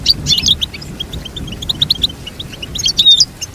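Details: Goldfinch song for teaching a goldfinch: busy high chirps with louder twittering clusters at the start and end and a brief clear whistle.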